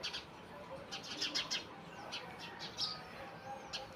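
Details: At daybreak, several house sparrows give bright, short chirps that overlap in quick bursts, while devotional songs play over a temple loudspeaker in the background.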